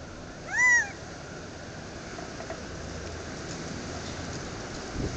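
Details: A quail perched in a tree, Dead Horse Ranch State Park, Cottonwood, Arizona, 2 May 2010, utters one clear arched nasal note early on, followed by quiet background hiss.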